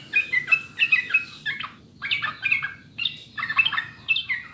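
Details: Sooty-headed bulbul song, a clear recording used to coax caged birds into singing. Three chattering clusters of liquid, warbled notes, each about a second long, are separated by short pauses.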